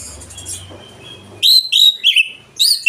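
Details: Oriental magpie-robin lure song in the open, loud ngeplong style, used to prompt birds that rarely sing. A quiet hiss opens the recording, then loud, clear whistled phrases with sharp slurred notes arrive in short bursts.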